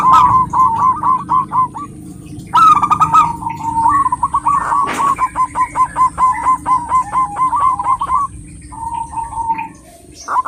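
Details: Calling to a male, a female zebra dove delivers bursts of rapid hooked coo notes separated by short pauses. Brief higher chirps and a low droning background accompany the series.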